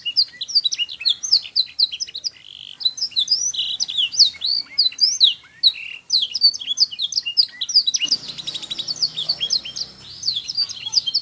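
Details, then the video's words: Canary song used as a master recording to teach young canaries to sing: a dense, fast run of high whistled notes and trills, rolling continuously with brief buzzy bursts and rapid repeated chips throughout. "Masteran kenari paud AGAR CEPAT BUNYI"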